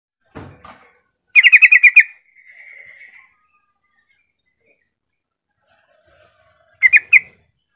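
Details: ['Yellow-vented bulbul song used to lure other bulbuls into singing: a loud, rapid bubbly burst of about seven mid-pitched notes, a softer trailing warble, then a short three-note bubbly phrase near the end, with a low thump at the start.']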